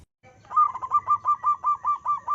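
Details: Zebra dove in full voice, singing strongly: a quick, even run of about ten clipped, hollow cooing notes, around four per second, after a brief silence.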